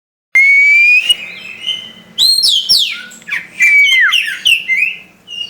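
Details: Caged white-rumped shama (kacer) singing: a long pure whistle rising gently, then a rapid burst of varied whistles, sweeping slurs and sharp chirps in loud phrases with brief pauses.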